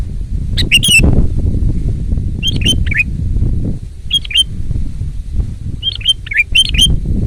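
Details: Sooty-headed bulbul, a loud, vigorous 'gacor' singer recorded for luring and tutoring birds, gives short bubbly chirps in bursts near 0.7, 2.6, 4.2 and 6.5 seconds over a steady low rumbling background.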